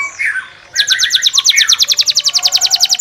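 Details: Canary song said to rouse a neighbouring canary: a soft slurred opening note, then a quick, even run of sharp clicking chirps, roughly eight per second, steady through the rest.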